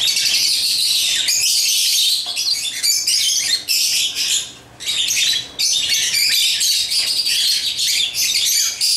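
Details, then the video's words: Busy, squeaky chirping from African lovebirds playing with toys, coming in bursts of shrill chatter with short gaps, including a longer lull around four and a half seconds. "Love birds chirping & playing toys"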